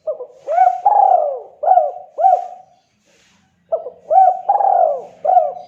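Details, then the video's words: Spotted dove singing persistently to call a rival: two phrases of hooked, mellow coos, each with short rising notes around one long drawn-out falling coo, separated by a pause of about a second. "Suara burung tekukur deruk derkuku Gacor memanggil LAWAN"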